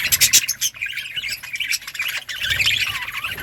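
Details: Budgerigars in a breeding colony: dense, overlapping high chattering chirps and harsh squawks, loudest in the first half second, then a continuous twittering mix of many birds.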